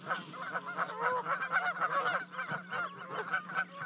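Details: Canada geese calling at a 30-foot-high osprey nest in Charlo, Montana, as two goslings leap down to join their parents on 12 May; dense overlapping harmonic honks and yelps over a steady low electrical hum.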